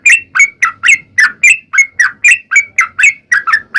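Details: Fast 'ropel' burst from a sooty-headed bulbul used as a lure for other bulbuls: crisp, chirpy, downward-slurred notes in quick pairs, about four per second.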